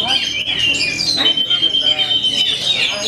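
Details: Oriental magpie-robin (kacer) contest bird singing at a songbird competition in Kadungora, Garut, Indonesia, where it took double winner; loud, clear whistled phrases and sustained high notes over a noisy crowd with chatter, clapping and music.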